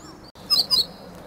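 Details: Meadow bunting in song practice, calm and close, 8 March 2011; two quick, high, falling notes in succession over faint background hiss.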